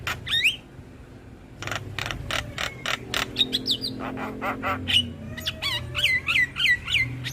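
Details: Javan myna chatter played to coax stressed mynas into singing: sharp broadband clicks and rasping notes, then twisting whistled phrases rising and falling near the end, over faint low background hum.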